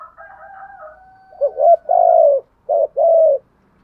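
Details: Spotted dove calling in a structured style, with thúc, gù, gáy gọi, kích and gáy luân calling styles described; a faint whistled tone is followed by two deep cooing phrases, each a short coo then a longer falling one.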